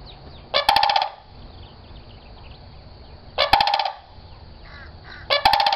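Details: Sandhill crane squawking, giving three loud, hoarse, rattling calls about half a second each, spaced roughly two to three seconds apart. Faint higher chirps from other birds sit in the gaps.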